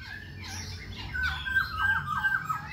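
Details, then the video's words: Song from a Khe Sanh laughingthrush that keeps changing its voice while dancing: softer, lower notes, then a series of about five short repeated downslurred whistles in quick succession, with some background hiss. "Khướu Khe Sanh hót múa đảo giọng liên tục"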